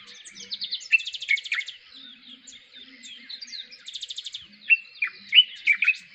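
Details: Dark-capped bulbul, formerly Black-eyed bulbul, in Kruger National Park thickets, South Africa: quick chirpy notes, two rapid buzzy trills near one and four seconds, and sharp down-slurred liquid notes toward the end.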